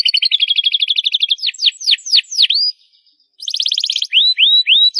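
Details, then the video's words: Canary singing loudly: a quick rattling trill, then separate swooping slurred whistles, a brief pause, another bright buzzy roll and a few rising curved notes. "CANARY SINGING LOUD!!"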